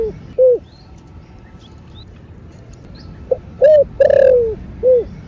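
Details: Calling coos of a spotted dove in 'thổ bầu' style. Low hollow notes come singly, then a phrase builds into a drawn-out descending coo with a rougher, pulsed onset. It ends with another single note.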